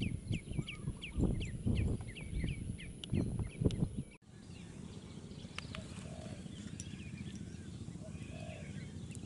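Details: Shorebirds on the mangrove-lined east coast of Aceh, Sumatra, give short, high chirping calls repeated several times a second for a few seconds, over heavy low rumbling wind noise that continues after the calls stop.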